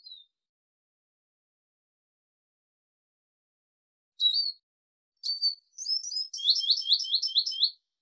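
Arabian babbler giving sharp, high chirps that build into a rapid run of repeated piping notes near the end; nothing else is heard.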